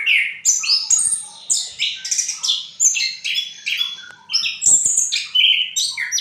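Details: Orange-headed thrush (punglor merah) used as a master bird, giving gacor ngriwik song: choppy sequences of high whistles, squeaks and chatter in phrases about half a second long.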